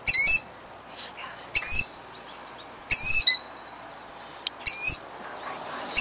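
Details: Killdeer in Jackson, New Jersey, 2008, defending her eggs: loud, shrill high calls with harmonics, repeated in bursts about every one and a half seconds, each note sharply falling then held, over a faint steady background hum.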